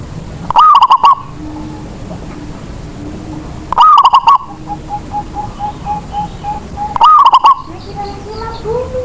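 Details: Zebra dove song from a local bird used as a lure so other doves start singing; three loud stuttering cooing bursts about every three seconds, with quieter cooing from other doves between them.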